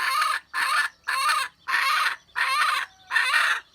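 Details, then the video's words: Six harsh, noisy bursts from a wild red junglefowl hen, recorded 27 January 2015. Each rasping note lasts about half a second, with a short gap between them in a steady rhythm. "poj qaib seev tiếng ga rùng kêu"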